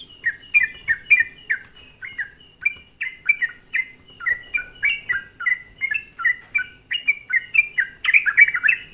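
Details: Sooty-headed bulbul lure recording for provoking other bulbuls: steady chain of sharp slurred whistles, roughly two per second, ending in a louder, busier burst of overlapping chirps.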